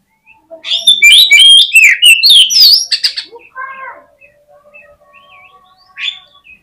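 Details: Fighting song of an Oriental magpie-robin, used to rouse rival males into responding; dense, rapid run of whistles, chirps and buzzy sweeps for about two and a half seconds, then softer scattered notes and faint low tones.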